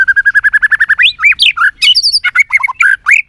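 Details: Caged White-rumped shama in fighting song, opening with a fast even trill of repeated notes, then varied loud whistled slurs and sharp rising and falling phrases.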